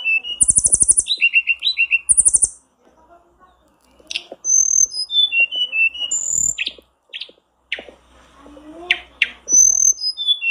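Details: Lure recording of a blue flycatcher meant to get kept birds singing quickly: two very high buzzy trilled bursts with warbled notes, a short silence, then scattered clear whistles and downward-stepping whistled phrases.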